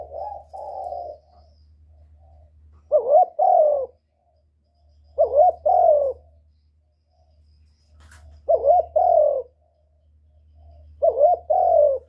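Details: Spotted dove call used to stimulate other doves: five two-part cooing phrases, a quick wavering note then a longer hollow coo, spaced two to three seconds apart over a steady low hum.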